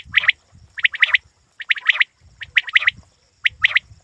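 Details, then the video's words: Quail, described as a hunting quail, giving short sharp chirped notes in tight bursts of two to three, repeated about once a second, with faint low rumbling underneath. "Shikari batair ki awaz"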